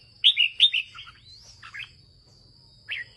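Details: Red-whiskered bulbul belonging to a farmer, in the northern 'ché' song style, gives two loud whistled notes, softer trailing phrases, a rising slur, then a final bright note; a thin steady whine runs underneath.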